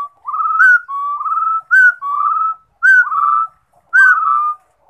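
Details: Rufous-throated partridge song of mellow whistled couplets, each an upslurred note then a drawn-out even whistle, repeated four times at about one-second intervals in a quiet setting.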